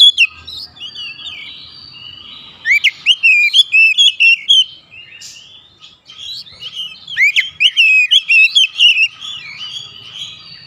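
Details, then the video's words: Oriental magpie-robin calling and being answered by others: two long bursts of loud, varied whistled notes, sliding up and down, separated by a short pause with faint distant whistles. "KACER MEMANGGIL KAWAN | KACER LAIN LANGSUNG RESPON GACOR"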